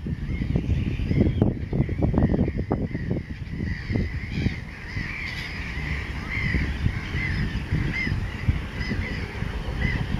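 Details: Mediterranean gulls calling at a breeding colony on a raft at Montjean-sur-Loire, Maine-et-Loire, 3 July 2013, with black-headed gulls, common terns and over 104 chicks; many overlapping nasal calls over heavy low rumbling noise.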